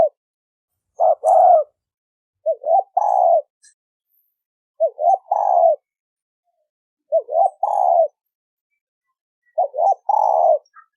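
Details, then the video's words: 'Thổ sấm đồng' style spotted dove cooing used to attract males, females and wild birds: five matching phrases, each a couple of quick short notes then a longer deep coo, repeating about every two and a half seconds. "Tiếng chim cu gáy thổ sấm đồng gù gáy kích trống kích mái kích bổi"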